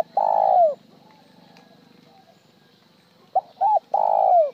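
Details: Spotted dove giving its call with one broken trailing note, at times plain. Long falling coo, a pause, then a short note, a double note and another long descending coo, with a low rumbling hum behind.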